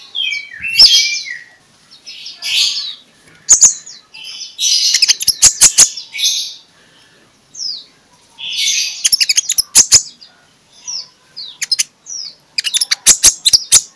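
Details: Loud morning song of an Oriental magpie-robin (konin), meant to lure other magpie-robins into singing. Rich warbled phrases and whistles are interspersed with clusters of sharp rapid clicks. Short pauses separate the sections.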